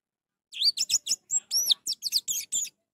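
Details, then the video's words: An orange-headed thrush, used as a lure to get silent thrushes singing, sings a fast, rich phrase of about ten crisp, high whistled and warbled notes in just over two seconds, against a quiet background. "Untuk memancing Anis merah yang malas bunyi"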